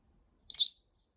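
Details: Pet rosy-faced lovebird complaining after a week without play, giving one sharp, shrill chirp high in pitch, about a third of a second long, in a quiet room.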